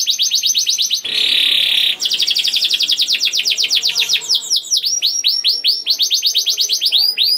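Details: Young canary in energetic, nonstop song used as a lure to prompt other canaries to sing: rapid high trills of repeated chips, a second-long harsh buzzy roll, more fast rattling trills, then a series of repeated swooping whistled notes.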